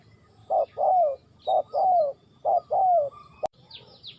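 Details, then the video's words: Spotted dove in Ninh Thuận cooing: three loud phrases, each a short clipped note followed by a longer, slightly falling coo, spaced about a second apart; faint high chirps of other birds near the end. "Cu gáy Ninh Thuận"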